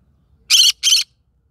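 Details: Green-cheeked conure from a rice field, singing: two loud, harsh, rasping squawks in quick succession, each about a fifth of a second long, against near silence.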